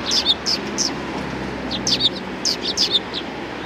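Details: Sparrows at a Tenmangu shrine's front approach, 6 December 2019, chirp busily: sharp, high tweets in paired and grouped bursts, several birds overlapping, with a soft hum underneath.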